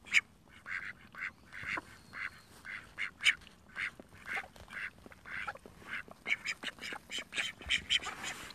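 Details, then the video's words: Call ducks in a pool giving a long series of loud, high, nasal quacks at irregular intervals, some in quick pairs, with splashing between calls. "コールダック プール"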